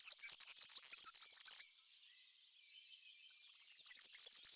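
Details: European serin feeding on Brassica oleracea seeds in a backyard sings a fast, glassy, buzzy twitter for about one and a half seconds, falls quiet, then starts another high jingling phrase.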